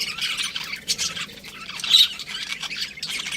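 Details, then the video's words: Budgerigars calling with harsh squawky chirps and scratchy chatter, a louder sharp note near the middle, fairly continuous from several birds. "Cute Budgies Chirping Sounds"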